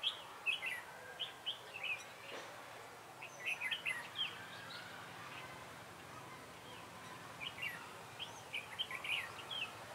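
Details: Trap decoy red-whiskered bulbul on 3 November 2017; series of short warbling phrases spaced across the clip, quieter in the middle, over constant background hiss.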